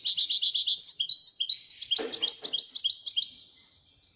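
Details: Moroccan goldfinch in Wedania song: a tight train of buzzy repeated notes shifting into a long, lively twittering sequence of alternating pitches, with a brief click midway, then silence.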